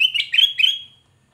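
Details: Lively song of a black-crested bulbul, offered as a lure for trapping birds: three quick warbled whistled phrases in under a second, bright and slightly slurred, then fading into silence.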